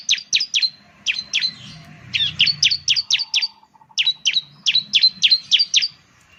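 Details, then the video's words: Bar-winged Prinia (ciblek) lure song: fast series of sharp, high, down-slurred chips in three bursts, roughly three to four notes per second, with a faint low rumble underneath. "Suwara Burung Ciblek || Ciblek bird lures, the sound of the gacor immediately picks up"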